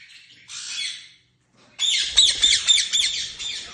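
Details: A short rasping lovebird call, then a pause, then a fast series of shrill chattering squawks about four per second.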